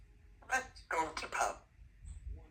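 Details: A 2-year-old female Congo African Grey Parrot, a talkative pet at home, talks in a short burst of clear, human-like phrases, three or four syllable groups over about a second, with a faint room hum beneath.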